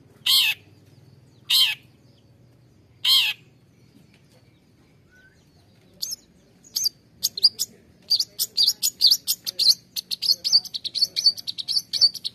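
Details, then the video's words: Long-tailed shrike sounds meant to prompt quiet or stressed caged birds to sing: three harsh rasping notes, a pause, then a rapid run of sharp high chips and twittering. "SUARA CENDET UNTUK TERAPI CENDET MALAS BUNYI"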